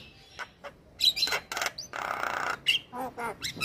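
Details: Male white-eyed Javan myna singing, used to prompt lazy mynas to sing: harsh squawks, rasping bursts and a few whistled notes in an uneven chattering sequence.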